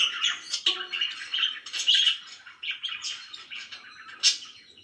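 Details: Happy pet budgerigars warble a rambling medley of chirps, whistled squeaks and harsh notes, louder at first and fading slightly toward the end, with one sharp squeak near the close.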